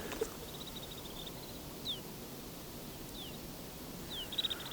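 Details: A wintering flock of a few hundred snow buntings in flat farmland in Haldimand County, Ontario, in winter, give faint high buzzy rattles and a few brief falling whistles, about a second apart, over steady outdoor hiss.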